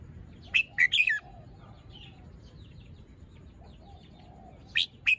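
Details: Caged red-whiskered bulbul, fluffed and moulting, sings in the morning: a lively run of three or four rich, slurred whistles, a pause filled with faint chirps from other birds, then two sharp notes again.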